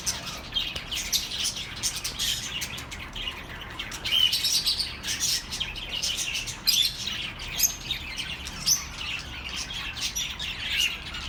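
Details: Birds chirping steadily to keep lonely pet birds company, repeated bright tweets and twitters from several callers, a few louder notes standing out.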